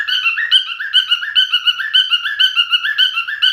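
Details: A male cockatiel sings a rhythmic series of pure whistled notes, some slurring upward, repeated roughly twice a second in a lively looping pattern.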